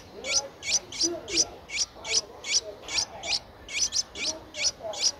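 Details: Streak-eared Bulbul nestling, 10 days old, recorded in Ubon Ratchathani, Thailand, on 12 April 2023. It gives a regular series of high, piercing chips, about two to three per second, with one quick double note.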